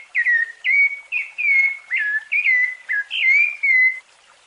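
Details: Rufous-bellied thrush singing its fluted song, used to teach young birds: eight or so clear whistles, some dipping sharply before a sustained tone, then the phrase ends in silence.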